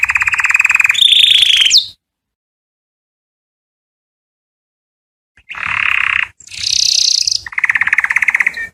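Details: Canary singing to attract females for mating: buzzy trills with a sharp upward flick, about three and a half seconds of silence, then rapid rolling trills alternating between lower and higher pitch.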